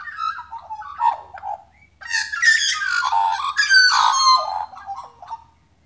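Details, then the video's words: Australian magpie singing a rich, warbling run of fluted and harsh notes, rising into a dense burst of mixed tones before trailing off, over a faint low hum. "Magpie singing"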